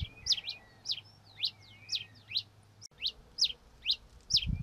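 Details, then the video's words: Red-crested finch (Coryphospingus cucullatus) song: a series of about nine sharp, high, downslurred chips, roughly two per second, with faint softer notes between them and a low steady hum in the background. "O Canto do TICO TICO REI (Coryphospingus Cucullatus) Bird Song - Red Crested Finch"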